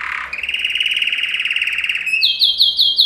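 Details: Male yellow canary performing training song for canaries: a long, loud, rolling trill held steady for about two seconds, then a fast string of sharp high upswept notes.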